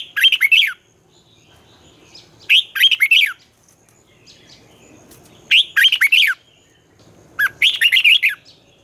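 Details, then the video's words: Red-whiskered bulbul singing in the twisting morning style used to prompt young birds and rivals to sing: four bursts of quick, bright whistled phrases, each under a second, spaced two to three seconds apart. "luyện chào mào hót sáng, Giọng xoắn hay dùng để ép bổi, Má trắng học giọng rất hay, chào mào hót đấu"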